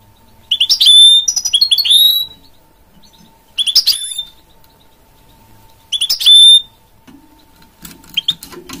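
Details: Goldfinch and canary cross, called a mule, repeats short bursts of fast chirping notes that finish in long clear whistles, four phrases with gaps of a second or more, plus a faint rustle near the end.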